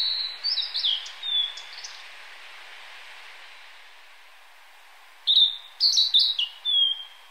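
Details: Male blue-and-white flycatcher (Cyanoptila cyanomelana cyanomelana) singing from the top of a cedar in May 2014: a clear whistled phrase of sliding high notes, a long pause, then a second phrase of quick, varied falling notes over faint stream water.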